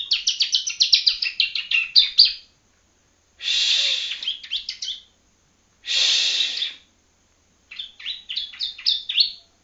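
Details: Yellow-bellied Prinia youngster from Palembang learning its song: a rapid rhythmic series of high chirps, two rasping buzzes each followed by short chirp runs, and a final chirping burst.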